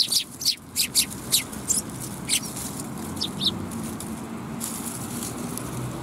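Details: Afternoon sparrows at a Tenmangu shrine on 10 December 2021, calling with a rapid run of bright chirps at first, then sparser single notes over a soft rumbling background.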